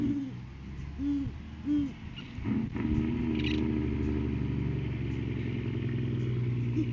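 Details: Three low, evenly spaced hoots of a great horned owl in the pre-laying courting season, when the male brings food to the female, recorded by a live camera, before a loud engine-like rumble takes over.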